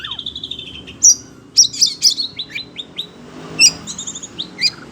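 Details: Caged kacer, or Oriental magpie-robin, excited by other birds' sounds, gives a whistled descending phrase, then spaced sharp high chips and short downslurred notes over a soft background hum.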